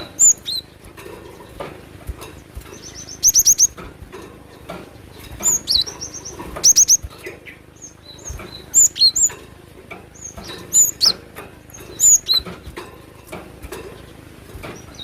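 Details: Cinereous tit in full, excited song: short bursts of high, piercing whistles and rapid triplets recur through the recording, separated by brief quiet spells.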